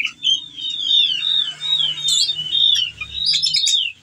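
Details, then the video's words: Ciung batu whistling thrush in breeding condition, calling to a female and pouring out its varied repertoire; clear rising-and-falling whistled phrases run almost without pause, with short bright chirps near the end. "burung CIUNG BATU GACOR teler bongkar isian"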